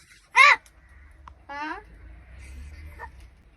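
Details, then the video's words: Talking crow from Palghar mimicking Marathi words: a sharp, harsh harmonic burst, then a longer, drawn-out voiced call with a fainter trailing note, while a person nearby speaks Marathi. "बोलणारा कावळा"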